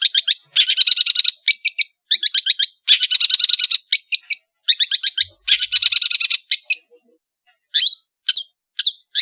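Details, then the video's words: Long-tailed shrike from Madura, Indonesia, in full varied song: fast runs of harsh scratchy chattering notes in rapid series, then a few separate rising and falling whistled notes. "SUARA burung CENDET GACOR master full variasi"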